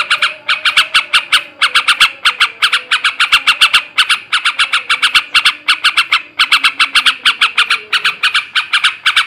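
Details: Male sooty-headed bulbul in ngebrem ngekek garuda singing style, used to raise breeding drive: dense bursts of harsh, buzzy chattering notes in rapid runs, with a faint steady low hum underneath.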